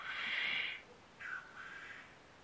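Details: Black grouse in Norwegian woods in early spring, April 2012: a loud, breathy hissing sneeze lasting nearly a second, then a second softer, falling hiss after a short pause.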